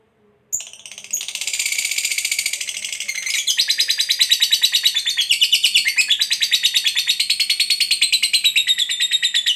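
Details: Lovebird of the fighter type giving a long ngekek, used to provoke a silent, lazy lovebird into singing: a sharp opening note, then a sustained high, rapid chattering trill of buzzy repeated notes, about three per second, that shifts in pitch partway.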